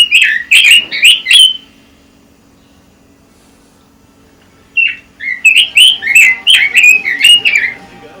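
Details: Red-billed leiothrix producing two bursts of loud, rapid warbling notes with a gap between them, over a steady low hum in the background.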